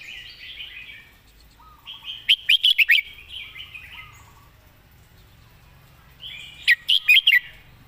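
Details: Song tutor Red-whiskered bulbul delivering crisp, clearly worded phrases: two bursts of four or five loud, bright, bouncing whistled notes about four seconds apart, with quieter warbling and a low trill between them.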